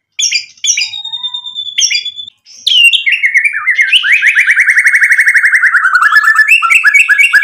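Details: Shama song aimed at getting other birds to reply: a few spaced whistles, a long pure tone, then a rapid rattling trill of repeated notes that falls slowly and ends in quick chips.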